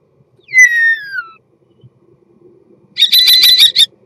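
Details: Common starling singing its mating song: a clear whistle sliding downward, then after a pause a harsh, buzzy rattle of rapid clicks lasting nearly a second, set against a faint low background hum.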